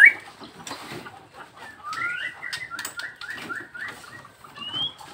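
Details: Nias hill myna, a bird kept in full singing form, giving a run of about eight short rising whistles in quick succession, then a higher drawn-out whistle, over faint background clatter and other bird sounds.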